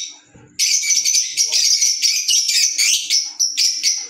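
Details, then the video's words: After a quiet start, pet green Fischer's lovebirds burst into loud, rapid, shrill chirping, with sharp squeaks repeated about four times a second in short clustered runs. "Fisher Love Birds Sound | African Lovebirds | Green Fisher Love birds Voice"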